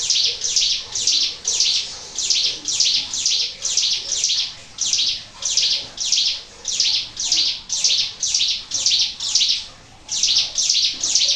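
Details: Actively singing Sunda warbler on a lure recording: high, piercing, slightly buzzy notes repeated steadily in a long train of around twenty, with one short pause.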